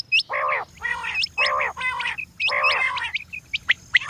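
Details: Female quail giving a run of repeated nasal, buzzy squawks, each about half a second, mixed with quick high hooked chirps and scattered clicks.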